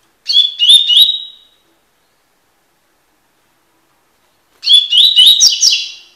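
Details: Double-collared seedeater giving tui tui song as a tutoring recording: a brief phrase of three rising whistles, a pause of several seconds, then a longer phrase of upslurred whistles and buzzy trills.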